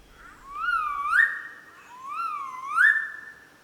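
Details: A male Magnificent Riflebird calling in the morning from a display perch high in Cape York Peninsula rainforest gives two loud, far-carrying whistles, each swelling and dipping before a sharp rising upslur, about two seconds apart.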